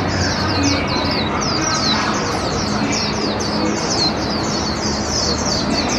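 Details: Warbling white-eye, a hand-raised cage bird aged one year eight months, taken to a park in 2021 next to a noisy puppet-theatre show. The bird sings a continuous stream of quick, high, twittering notes over a broad din of stage music and voices.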